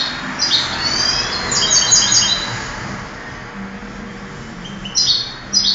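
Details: European goldfinch, a 2008 singing-contest bird, gives quick tinkling twitters early on, a quieter stretch, then fresh high chirps near the end against low background hum.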